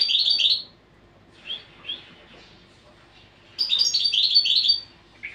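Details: European goldfinch in training song, with a bright tinkling burst, a few isolated chirps over a long lull, then another sustained, rapid liquid twitter.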